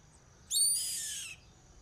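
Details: Yellow-headed caracara scream: a single loud, harsh, high screech lasting under a second. It starts abruptly with a strained, raspy quality, holds briefly and then fades slightly downward, over a quiet background with a faint low rumble.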